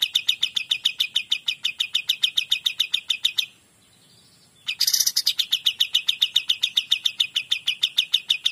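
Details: Cream-vented bulbul (kapas tembak) in full 'gacor dor' song: a fast chattering series of sharp, even notes repeated about three or four times a second, breaking off for a second of near silence before a harsh burst restarts the run.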